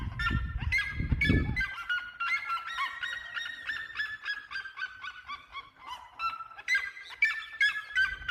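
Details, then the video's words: Red-legged seriemas give a loud, rapid series of yelping, honk-like notes, several per second, with overlapping voices; a low rumble of wind opens the recording. "O canto das seriemas"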